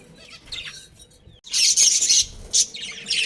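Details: Pet budgie breeding pair: after faint soft twitters and a short hush, a loud burst of shrill chattering chirps breaks out, followed by a few more squeaky notes.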